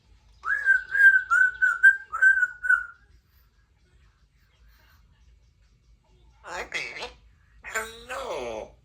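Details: Three-year-old female Congo African Grey parrot, kept as a pet in a country home, practicing her sounds. She gives a steady run of pure, wavering whistles for about three seconds, then after a pause makes two short, rough, speech-like sounds.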